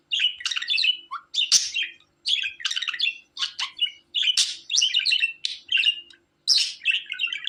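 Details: Continuous budgerigar warbling: rapid scratchy chirps, clicks and squeaky notes in dense clusters, broken by short pauses roughly every second, with one low whistled note near the start and a quiet background hum.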